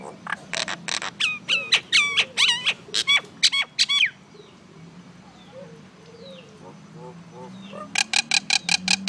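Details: Little common myna making noise: a rapid series of loud harsh squawks and sharp chirps for about four seconds, a quieter gap with faint chatter, then another burst of rasping notes.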